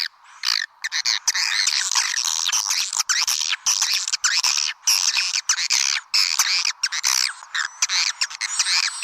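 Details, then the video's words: Lure sound to attract swiftlets: loud, dense, high twittering and buzzy chatter with a few short breaks, several callers overlapping. "Suara Panggil Burung Walet"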